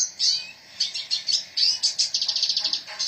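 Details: Energetic gacor song of a red siskin: high twittered notes in bursts, building into a fast run of evenly repeated sharp chips toward the finish.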